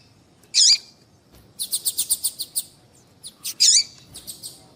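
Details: Female papa-capim seedeater piping to prompt male song: one loud high chirp, a quick series of about seven ticking notes, then another strong chirp and a few fainter ticks.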